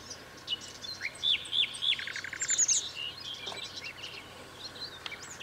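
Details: European goldfinch in spring, recorded in May 2010 by the Eastriver at Skala Kaloni on Lesbos, Greece. Quick bright twittering of slurred, tinkling notes and a short buzzy rattle for about two seconds, then quieter scattered chirps over faint background hiss.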